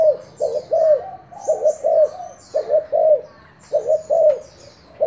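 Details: Thai spotted dove kept for decoy calling, uttering mellow coo phrases of two to three notes, the last drawn out and falling, with soft high bird chirps in the background.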